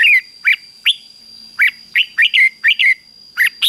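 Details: Red-whiskered bulbul 'ché' song, played to stir males into fighting song. Short, lively, whistled notes come roughly every quarter to half second, many slurring downward, with a faint steady tone in the background.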